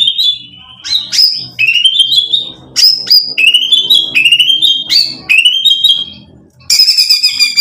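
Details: White-rumped shama, or murai batu, singing to provoke and excite: clear whistled phrases that rise in steps, repeated about once a second, ending in a loud high buzzy burst, with a low hum behind.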